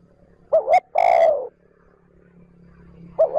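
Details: Spotted dove calling in smooth trơn ròng style to lure wild birds: two quick hoots and a long falling coo, then the start of another phrase, over a steady low hum.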